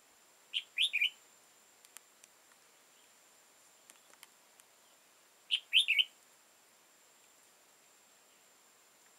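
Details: Red-whiskered bulbul trapped in the wild on 15 October 2018, an old bird with tall crest and dark bib: quick chirpy three-note phrases repeated roughly every five seconds, faint ticks between, continuous high-pitched whine behind.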